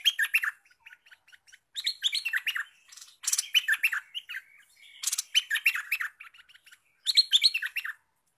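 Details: Olive-winged bulbul caught by trapping, now in full voice as a prospective lure bird, gives bursts of quick warbling, chattering notes separated by pauses of one to two seconds, with a couple of harsher, rasping bursts mixed in.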